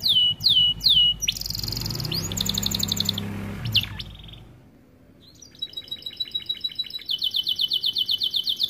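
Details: AF canary of starblue colour in energetic song meant for training young canaries: sharp falling notes, a buzzy trill over a low hum, a brief pause, then rapid pulsed rattles and a bright sustained trill.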